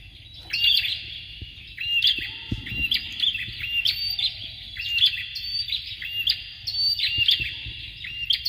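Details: Bar-winged prinia pair, a recording meant to coach competition birds: continuous high twittering with short whistled strokes in repeated bursts, a faint low thump near the middle and steady background hum.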